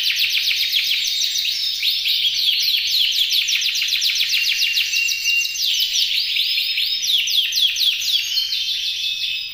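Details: Canary said to be ready to mate and in strong, loud song, a contest bird that took second place on 12 November 2024. It pours out a continuous, rapid, high trilling warble of rolling and buzzy phrases without pause.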